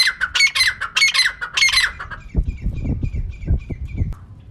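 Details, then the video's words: Female francolin with three or four loud rasping calls in the first two seconds, then only faint thin notes over low rumbling background noise. Offered as a lure for trapping birds. "Female Teetar ka clear and saaf awaz"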